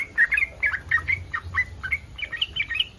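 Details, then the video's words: Yellow-vented bulbul, in breeding condition, with a mating call that provokes other bulbuls to respond: dense, gurgling chatter of short slurred notes, rapid and slightly uneven, over a quiet low background. "SUARA BURUNG TRUCUKAN BIRAHI 100% BURUNG TRUCUKAN LAIN AKAN RESPON"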